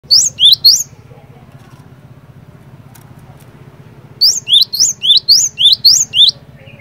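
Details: Cinereous tit in energetic full song, used as a lure to get other cinereous tits singing: a fast burst of three sharp two-note whistles, a pause of over three seconds, then a longer run of about eight rapid phrases over a low steady hum.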